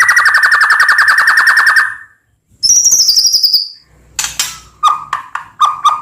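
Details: White-rumped shama, full varied song for tutoring other birds. A long steady rattling trill opens, then a high buzzy phrase, then sharp clicks and short whistled notes.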